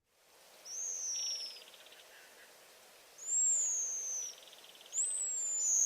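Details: Pigeon guillemot; scream; alarm when startled or a predator is near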